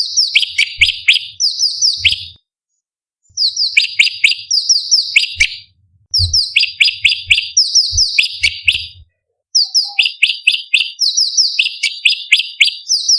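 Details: Sharp, high-octave, varied song of a sooty-headed bulbul (cucak cungkok), used as master material for competition birds. Four energetic phrases of fast, downward-slurred whistled notes are separated by brief silences, with faint low thumps underneath.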